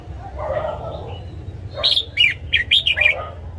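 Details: Caged-bird training recording of a red-whiskered bulbul's morning song. A soft lower warble first, then a clear phrase of five or six bright, quick whistled notes.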